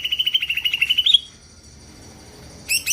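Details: Greater green leafbird singing gacor to prompt other birds: a rapid, even trill of about a dozen bright notes rising slightly at its end, then silence and two short high chirps.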